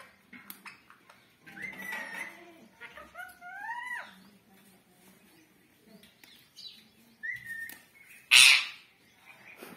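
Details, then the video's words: Pet parrot greeting with a namaste while touching feet, giving gliding whistled tones with rising and falling bends and short squeaky notes, then a sudden loud harsh burst near the end, in a small room. "मैरा तोता पैर छु के करता है नमस्कार"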